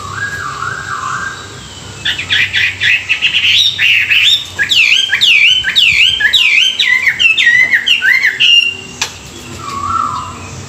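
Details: Chinese hwamei in a morning song-training session for wild-caught birds, delivering a fast, loud run of varied whistled notes and trills between two quieter low whistled phrases at the start and end.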